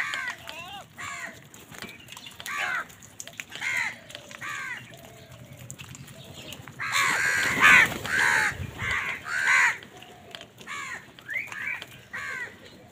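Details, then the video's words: A crowd of crows calls in the morning while fighting wild birds for food. A rough, repeated cawing chorus runs throughout, with a loud, dense burst of overlapping squawks near the middle. "Many Crows crowing sounds and noises in the morning"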